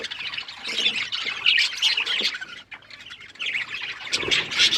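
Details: Pet budgerigars chirping as a group: dense, high, scratchy chatter with quick squawks and chirps overlapping without pause, dipping briefly near the middle before rising again.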